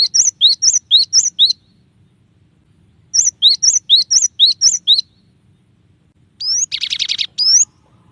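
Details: Gelatik batu (cinereous tit) song in the sought-after tembakan variation: two quick strings of paired high notes, followed by a dense buzzy rattle framed by rising whistled slurs.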